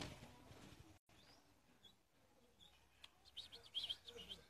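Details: Eight-month-old European goldfinch kept as a pet: quiet, faintly rumbling start with a brief dropout, then high, bright twittering and tinkling notes bunched together in the final second and a half.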